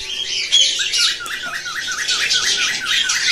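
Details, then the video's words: Cockatiel stimulation sound played to encourage breeding and to teach cockatiels to sing: a fast run of repeated wavy whistled notes, several each second, under dense high squawky chatter from other birds. "تحفيز طيور الكوكتيل على صوت محفز"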